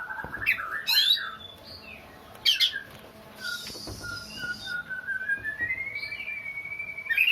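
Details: Oriental magpie-robin whose song sounds like a sobbing child: sharp chirps and harsh bursts, then a long thin whistle that slowly rises and holds steady before a closing chirp.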